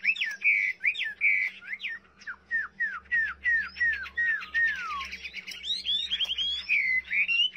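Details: Chinese hwamei song: loud whistled notes repeated in a steady series of downward slurs, then a quick jumble of high warbled phrases. A low steady hum and faint low rumbles run underneath.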